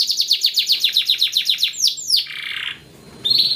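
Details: Yellow canary singing a rapid series of high descending chirps, about four per second, breaking into swooping slurred notes and a buzzy phrase before a short pause and another trill.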